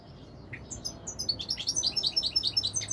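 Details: Moroccan royal goldfinch starting with a single chirp, then breaking into a fast run of bright, repeated high twittering notes that grows louder to the end.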